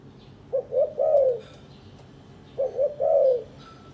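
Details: Courting spotted dove, one of a captive pair building a nest; two clear phrases, two brief rising notes leading into a long smooth coo, the second phrase about two seconds after the first.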